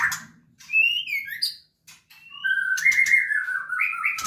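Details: A captive-bred white-rumped shama (Copsychus malabaricus) at a breeding aviary sings rich, varied whistled phrases, some sliding and rising, with rapid chattering notes in between; faint speech in the background.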